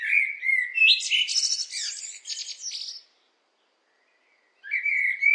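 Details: Blackbird phrase of smooth whistled notes that breaks into a high, chattering twitter, followed by silence and the start of a fresh mellow phrase.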